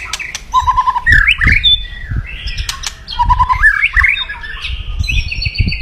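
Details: Loud crackling white-rumped shama song used to stir rival birds: short low buzzy trills alternate with rising and falling whistled phrases and slurred chatters, a few dull knocks underneath.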